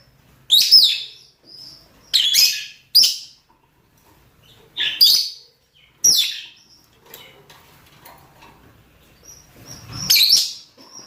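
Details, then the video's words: Loud, harsh, shrieking calls from male and female rosy-faced and Fischer's lovebirds seeking to mate, delivered in separate bursts about a second or two apart against a quiet background with faint twitters. "نداءات ذكور وإناث طيور الروز والفيشر من أجل التزاوج"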